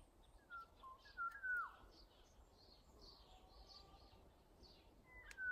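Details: ['Unidentified early-summer bird from a house yard and neighbourhood alley, whistling a few brief notes with one slurred downward phrase in the first seconds, then faint whistles amid steady outdoor ambience and soft distant chirps.']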